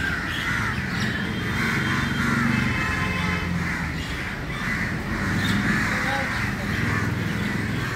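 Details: Early-morning crowd of crows in a noisy gathering, many harsh caws (kav kav) overlapping without pause over a constant low rumble.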